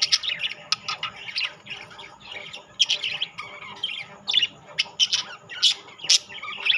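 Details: Rainbow and classic budgerigars gathered together keep up a busy stream of squawks, sharp clicks and warbled chirps, rising into brief loud peaks every second or so over a low constant hum.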